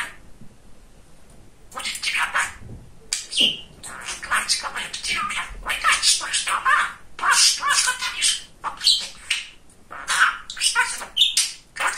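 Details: Chatty male pet budgerigar talking: a quiet start, then a long stream of rapid buzzy imitated words mixed with chirps and squawks, indoors.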